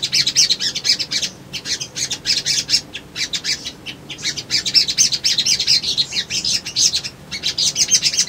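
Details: Crimson Sunbird (sogon) male singing as a lure to provoke birds to respond and seek a rival. Nearly continuous rapid, harsh high chattering with sharp chips and brief breaks.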